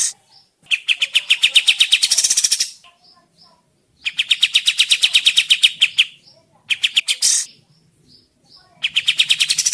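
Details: Sooty-headed bulbul lure recording intended to make birds respond and sing: several two-second bursts of rapid, shrill chirps, some ending in a harsh hiss, separated by short quiet gaps with faint soft notes.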